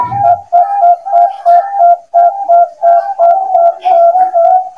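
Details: Bangkok-type zebra dove, a loud master recording used as a lure when training young birds newly separated from the flight aviary: a steady run of mellow, slightly wavering coos, about three per second, with short gaps between them.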